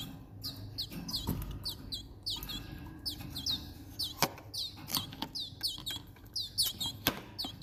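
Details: Timbrado canary being hand-fed supplementary soft food, giving bright, short, sweeping chirps in quick bursts of several per second, with scattered clicks and a faint low hum behind.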